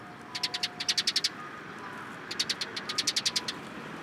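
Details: Rapid runs of high, evenly spaced chirps come from sparrows collecting in a cherry tree at a Tenmangu shrine on 21 March 2023. There are two bursts of about a dozen notes each, separated by a brief lull.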